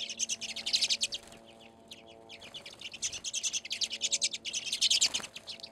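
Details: Redpolls, small cold-weather finches, gathered at a seed feeder on a back deck in Anchorage, Alaska, in February. Dense, high chattering of rapid buzzy notes and rattling trills comes in bursts, with a short lull near the middle.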